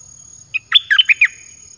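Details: Red-whiskered bulbul kept in a cage, its song played to lure wild birds in: a short burst of five or six clear, rich whistled notes rising and falling rapidly, with a faint steady high tone behind.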